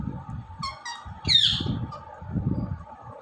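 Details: Indian ringneck parrot talking and dancing: a brief burst of harmonic, voice-like syllables followed by a short sharp squawk, over low rumbling background noise.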